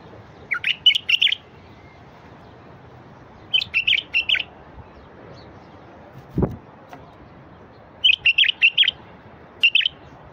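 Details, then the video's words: ['Bulbul song from the wild, played to get silent bulbuls singing: bursts of four or five fast chirpy whistled notes repeated every few seconds, with one dull knock midway and a low hum throughout.'] "تغريد لفتح البلابل الوحشية الساكتة"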